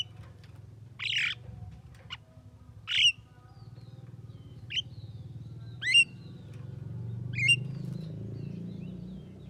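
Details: Javan myna billed as a talking bird, giving five brief, harsh, buzzy notes spaced roughly every one to two seconds, some with a quick twisting inflection, over a steady low hum.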